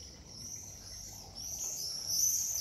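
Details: Swifts over Meissen, 29 June 2023, numerous birds in the town. A thin, sustained high screech rises in pitch and grows louder toward the end, over faint low rumble.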